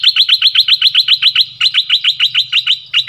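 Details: Dok Taeng bird calling a mate while used as a decoy in the forest, 13 January 2021: a loud, continuous rapid chatter of sharp, identical chirps, roughly six per second, with one short break near the end.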